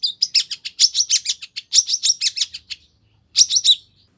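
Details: Long-tailed shrike lure song with 'isian' phrases: two rapid bursts of bright, varied chattering chirps, a short gap, then a final brief flurry.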